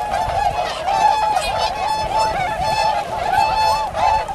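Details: Chorus of tundra swans: many soft, reedy honks overlap at a steady mid pitch, with louder bugling notes breaking through every second or so against a constant flock murmur.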